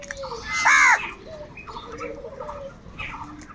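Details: Crows fighting for food give a single loud, hoarse, arched caw of about a quarter second, followed by fainter chatter and a thin whistled note from other birds.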